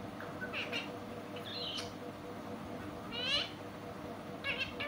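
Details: Pet parrot talking in a sweet voice: four short, bright, harmonic utterances with sweeping and wavering pitch, spaced about a second apart, over a steady low indoor hum.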